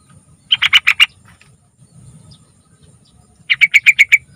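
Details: Trucukan, or yellow-vented bulbul, singing long as a lure for young birds: a fast chattering run of about six notes, a brief lull, then another rapid run of about eight bright notes.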